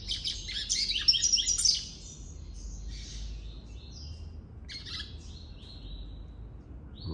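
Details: Male Double-collared Seedeater (papa-capim) kept in a cage and trained for singing competitions, delivering its own original song: an opening rush of fast, high chattering notes lasting under two seconds, then faint, scattered high phrases against steady low hum.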